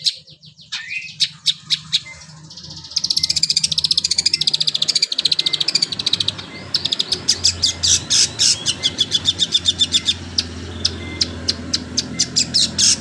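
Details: Long-tailed shrike, kept as a songbird, singing in a canary-like style: a rapid series of sharp high chirps and trills repeated at a fast pace, with a low steady hum in the background.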